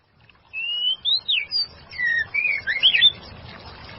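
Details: Female white-rumped shama singing: a quick series of clear, high, sliding whistles, some rising and others twisting up and down, lasting about two and a half seconds over quiet background hiss.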